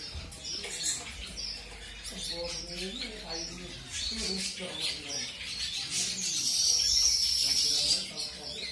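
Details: Mutation-colour zebra finches (Taeniopygia guttata) newly introduced to a new mate give quick, high, nasal chirps almost four times a second, with a person talking softly underneath.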